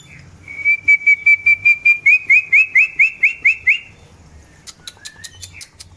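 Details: Long-tailed white-rumped shama in pairing for breeding: a fast series of about fourteen loud whistled notes, first level then upslurred, followed by clicks and a lower whistle.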